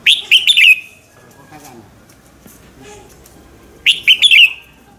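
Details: Red-whiskered bulbul in morning song, played to train and excite other birds: two loud bursts of three or four quick, slurred whistles dropping at the end, with quiet faint sounds between.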